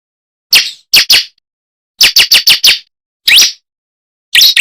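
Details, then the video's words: Lure call of the bar-winged prinia for attracting birds: loud, clipped high chirps in groups of two to five, one rising slurred note, and the pattern repeating at short intervals with no other sounds. "SUARA PIKAT BURUNG CIBLEK ( prenjak jali )"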